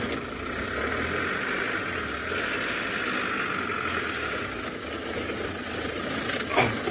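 A steady vehicle engine idles and rumbles throughout, with faint background hiss and no clear animal voice.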